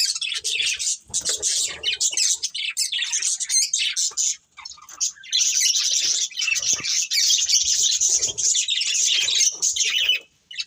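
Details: High, busy warbling chatter from a breeding pair of budgies, nearly unbroken apart from a short pause around four and a half seconds, with rapid chirps layered throughout.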